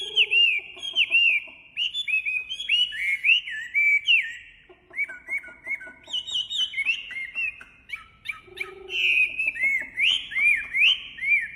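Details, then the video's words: Wambi singing: loud, clear whistled phrases of down-slurred and arching notes, repeated in quick runs with brief pauses, over soft lower notes. "Suara Khas Burung Wambi Gacor Enak Suaranya"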